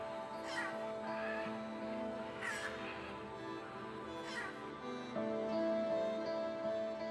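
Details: Wild Scarlet Macaws in the pine forests of Honduras' Moskitia give harsh, raspy squawks, about four spaced irregularly over seven seconds, with steady music playing underneath.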